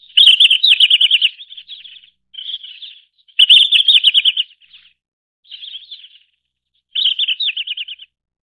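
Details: Red-flanked bluetail trilling. Loud bursts of fast, evenly spaced chirps trail into softer warbled fragments, with shorter quieter phrases between the main trills. No other sounds.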